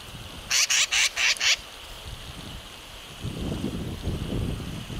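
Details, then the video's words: Black-billed magpie at Trout Creek Campground on the Deschutes River, Oregon, in 2018; a quick run of five harsh, raspy chatter notes, then low rumbling noise and the steady rush of the river. "Deschutes Magpie Chatter 2018"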